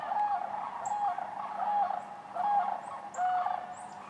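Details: Many sandhill cranes calling together at Wheeler Wildlife Refuge in Decatur, January 12, 2013, alongside other waterfowl; rolling, trumpet-like rattles repeat in quick pulses, several birds overlapping, over a low constant hum.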